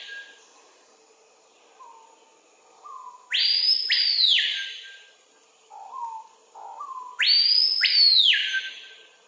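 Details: On a lek near Kourou, French Guiana, an adult male screaming piha gives two ear-splitting whistled screams, each sliding up and then dropping away. Soft low whistles sound between them. Filmed at 13:00 on 25 September 2023 with a Panasonic FZ300.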